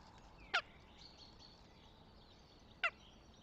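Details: Northern goshawk at its nest near Tartu, Estonia, on 26 April 2025: two short, sharp, harsh harmonic notes about two seconds apart. Faint songbird twittering fills the quiet background.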